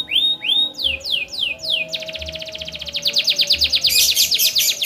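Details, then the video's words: Chatty 'gacor' canary singing in ornate 'cengkok mewah' style, used to set other canaries singing: paired rising notes, a run of falling sweeps, then a fast dense rattling trill climbing into a high shrill buzz. "Suara Burung Kenari Gacor cengkok mewah"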